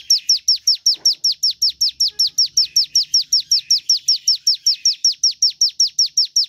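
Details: Ciblek gunung, or Javan tesia, delivering a steady series of sharp, high descending whistles at a brisk, even pace, each note nearly identical to the last.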